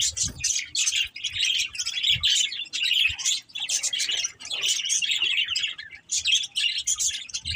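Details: Budgies chirping in a dense, continuous stream of bright, scratchy warbles and chatter, broken by short pauses around one and six seconds.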